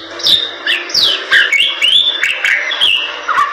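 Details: Bali myna singing loud, clear whistles that sweep down and then up, with some buzzy notes, in a short, lively burst.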